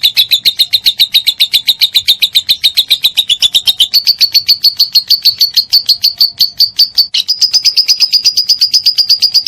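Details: Lovebird giving a long continuous chatter, recorded as tutor material for training songbirds: rapid, evenly pulsed shrill notes, about eight per second, stepping slightly higher in pitch twice over the sequence, with no other sounds.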